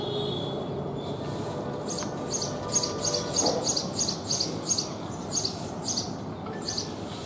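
A house sparrow gives a run of short, bright chirps, about three a second, over a low background rumble.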